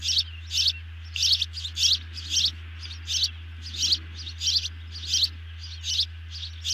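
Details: Osprey nest camera recording of 18 June 2020 during an evening feeding. Insistent high chirps repeat roughly every half second in steady series throughout, over a constant low hum.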